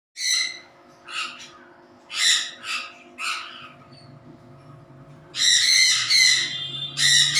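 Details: A pet rose-crowned conure at its morning breakfast gives harsh, raspy squawks in short bursts, then a longer grating screech, over a faint steady household hum. Rose-crowned conure.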